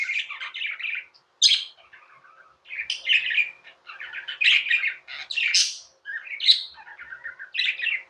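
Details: Pet budgerigars warbling continuously with rapid buzzy chatter, broken by sharp high chirps and clicks, short pauses between phrases.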